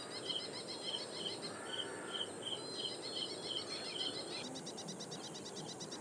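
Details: Ashy prinia singing loudly from Powai Lake reed beds, Mumbai, India, 1 October 2022, via directional microphone: about ten evenly spaced bright notes, then a loud pulsing insect buzz takes over for the last seconds.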